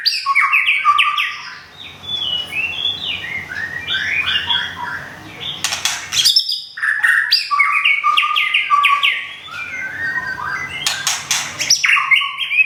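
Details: A white-rumped shama in Thung Song, Thailand, its new plumage almost complete after a moult, sings rapid, varied whistles and high chattering phrases, with short bursts of rustling noise between them.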